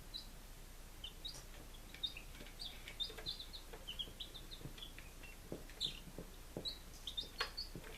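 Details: Baby chickens five days old, recorded 23 July 2017 in Lunenburg, Massachusetts: faint, scattered high thin peeps from several chicks over a steady hiss, with soft dull taps.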